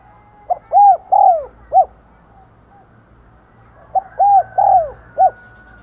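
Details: Spotted dove kept as a decoy to draw in wild doves, cooing in 'thúc gù' and 'gáy gọi' style: two matching phrases about three seconds apart, each of four round hoots, the middle ones swelling and sliding down.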